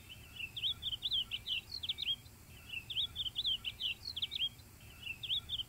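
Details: Ultramarine grosbeak song: a rapid, high, warbled phrase of twisting whistled notes, given about three times in quick succession with short pauses between, clear over faint steady background noise.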